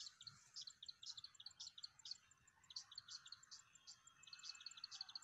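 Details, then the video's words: Calls of a plain wren-warbler, Magadi, India, 23 September: quick series of piercing high chirps in bursts, a brief lull midway, then renewed chirping, over quiet background hiss. "Plain Wren Warbler"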